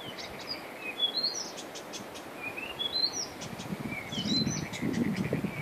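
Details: Blyth's reed warbler found singing on Christiansø, Denmark, in late May 2013, later ringed; high clear whistled notes rise in short stepped runs, phrases repeating with brief pauses, over a soft low background rumble.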